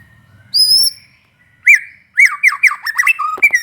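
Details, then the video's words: White-rumped shama singing energetically, a lure recording to stir other shamas into song: a long high thin whistle, then rapid slurred rising-and-falling whistled notes tumbling in quick succession, ending in sharp clicks. "SUARA BURUNG MURAI BATU GACOR INI"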